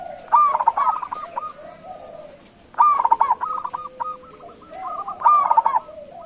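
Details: A local zebra dove calling to prompt answers from other birds: three phrases about two and a half seconds apart, each a loud rapid stutter of coos trailing off in short clipped notes, with lower murmuring coos underneath.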